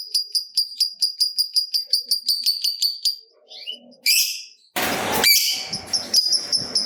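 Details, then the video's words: Lovebird singing a long trill meant to stimulate other lovebirds: a high, rapid series of sharp chirps repeated evenly for about three seconds, then scattered squeaks and a burst of harsh noise. "Lovebird Gacor Ngekek Panjang"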